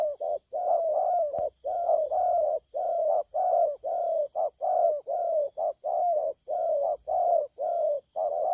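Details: Cooing of a young wild-caught spotted dove, 'thổ pha' style, dated 12 October 2019: a long unbroken run of about fifteen low hoarse coos, short and long notes mixed, one sharp click early on.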